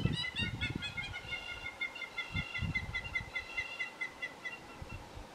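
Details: In Mapungubwe, Africa, two hamerkops take turns riding piggyback, captured with a Canon SX60HS camera. A steady series of sharp, ringing nasal notes repeats about four times a second, with low bumps and rumbles beneath.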